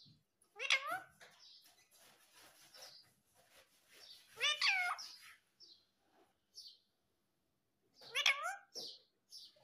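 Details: Talking parrot, said to say mummy and papa; three separate harmonic, bending vocal phrases about four seconds apart, with quiet rustling in between.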